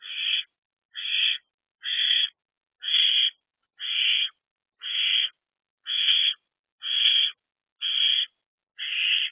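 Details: Owlet calling from a nest box around 3 am on 24 April 2024 during a meal of a large rodent: evenly spaced, rasping hiss-like screeches, about one per second, ten in a row, each half a second long.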